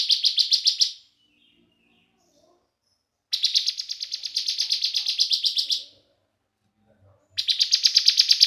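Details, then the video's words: Bar-winged prinia singing as a lure to excite other prinias: three bursts of quick, high, buzzy chirps at around four per second, the middle burst longest, separated by silences with faint soft background noises. "Ciblek semi gacor BREN, PALING AMPUH bikin CIIBLEK semi jadi emosi GACOR"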